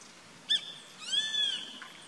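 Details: Grey-faced buzzard on a treetop, 14 April 2019, calling once: a quick sharp pip, then a longer clear downslurred whistle, with quiet ambient hiss behind.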